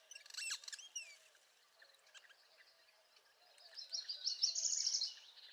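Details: Northern parula singing in spring: a high, buzzy trill climbs steadily over about a second and a half, following a burst of sharp chirps and sweeping notes from other birds.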